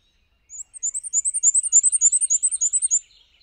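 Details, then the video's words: ['A Black-and-white warbler flitting from perch to perch sings its thin, squeaky wee-see-wee-see phrase, some fifteen quick paired notes over 2.5 seconds, like a squeaky wheel; softer chips from another bird follow.'] "Black-and-White Warbler"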